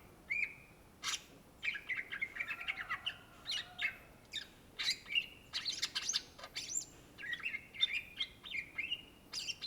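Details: Cucak ijo, the greater green leafbird native to Indonesia, in full gacor song: a long, varied stream of whistled phrases, fast chattering trills and sharp high notes, almost without pause.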